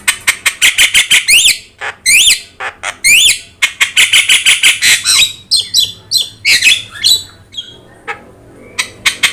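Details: Javan myna with yellow eyes in full song, meant for tutoring other cage birds; dense series of harsh, broadband squawks and rising whistled notes repeated quickly, thinning to scattered clicks toward the end.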